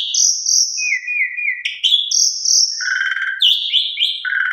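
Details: Asian pied starling tutor song with rich fill-in phrases: steady high whistles, a lower warbled stretch, sharp upward notes and rattling low bursts, all flowing without pause.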